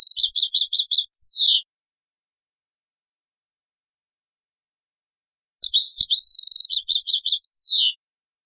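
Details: Goldfinch singing the taqsrain style, taken from an old cassette tape: two separate bursts of bright, bell-like twittering, each a fast string of repeated high notes ending in a downward slur, split by about four seconds of silence.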